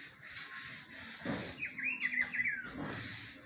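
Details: In spring, a Rufous-browed peppershrike delivers a clear whistled phrase of rolling, looping notes ending in a downward slide, preceded by a brief thump and soft background noise.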